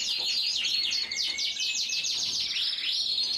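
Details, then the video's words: Belgian Frill canary delivering a continuous high rolling trill with fast descending repeated notes over faint hiss. "CANÁRIO BELGA FRISADO"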